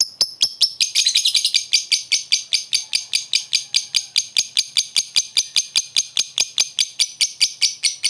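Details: Lovebird making a sustained ngekek laughing call to lure a rival: a long, steady rattling chatter of high dry clicks, about two or three per second, unbroken throughout.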